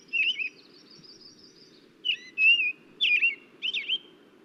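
An American Robin sings short whistled phrases of rising and falling notes, each one different, at a slow, steady pace over a low steady hum.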